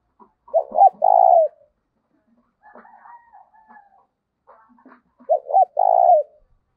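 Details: Spotted dove kept as a lure for wild birds, singing in 'giọng thổ' style: two coo phrases about five seconds apart, each short hoots then a long mellow note, with soft scratching and clicks in the gap.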